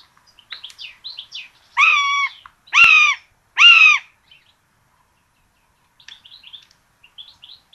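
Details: Common buzzards at a nest with two chicks in Tiszalök, Hungary, 26 June 2022, fed a rabbit for breakfast: three loud, drawn-out, arched mewing cries in quick succession, with soft high chirps of small birds before and after.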